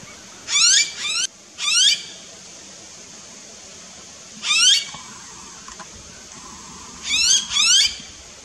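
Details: Blue-faced honeyeater calling in a backyard garden in Australia. Six loud, harsh, ringing notes come singly and in quick pairs over about eight seconds, each a brief upward-sweeping rasp, against a quiet background.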